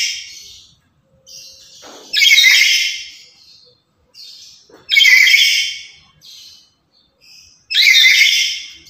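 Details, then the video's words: Lory, a very active and noisy bird used as a lure and call master for other lories, gives loud harsh screeching squawks at roughly three-second intervals, each burst broad and raspy, with softer chattering notes between them. "Inilah Burung Nuri Yang Paling Cerewet Dan Lantang"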